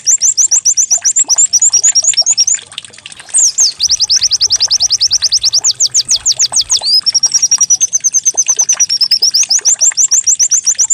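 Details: White-eye song used as a lure to prompt the bird to sing, described as canary-like: high, rapid chirped notes in quick runs, a brief lull, then a fast series of descending sweeps and a steady warbled trill.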